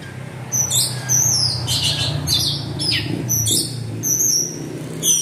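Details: Orange-headed thrush in lively teler-style song meant to draw other thrushes into singing: very high, thin whistles and rapid squeaky slurs alternating with short rasping bursts, low background hum throughout.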